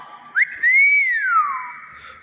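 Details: Captive pet common hill myna that imitates greetings and whistles: a loud pure whistle rises briefly, arches gently, then glides down in a long falling slur, framed by quick upward chirps at both ends.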